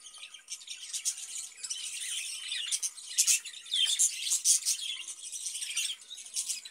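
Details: A cage of breeding budgerigars, producing a continuous raspy chattering with sharp squeaky chirps at irregular intervals.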